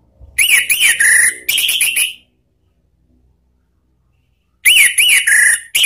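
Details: Orange-headed thrush lure song for training cage birds, "ngeplong" style. Two bursts of shrill, wavering whistles, each of several rising-and-falling notes, are separated by a quiet gap of about two seconds.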